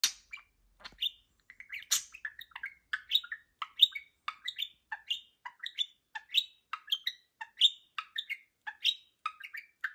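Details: Budgerigar singing in the morning: a continuous, fast, chattering warble of high chirps, clicks and short whistled notes tumbling over one another with hardly a break.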